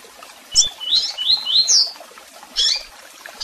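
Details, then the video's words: Double-collared seedeater singing with chirps and calls: a short high chip, then a run of clear whistled notes sliding upward in pitch, followed by a brief high burst; quiet hiss in the background. "Canto de Coleiro Tui Tui Com Piado e Chamados!!!"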